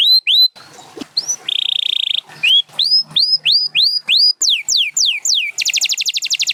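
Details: Canary singing a varied phrase: rising whistled notes, a steady buzzy tone, a run of rising then falling slurred whistles, and a fast rattling trill at the end.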